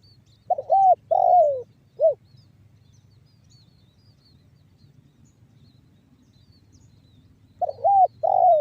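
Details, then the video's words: Banggo bocor style cooing of a spotted dove, played as a lure for other doves: a full three-part phrase, about five seconds of quiet with faint hiss, then the next phrase beginning. "SUARA TEKUKUR BANGGO BOCOR"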